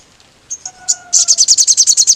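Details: Crimson sunbird (sogon) lure song in lively ngkleper style: a few high chips and a faint whistle, then a fast, even, shrill trill of rapid repeated notes.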